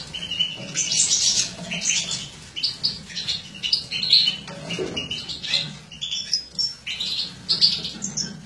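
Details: Female European goldfinch of captive-bred mutant line, feeding; scattered sharp high chirps and short twitters at a moderate pace, with faint fluttering and cage noise.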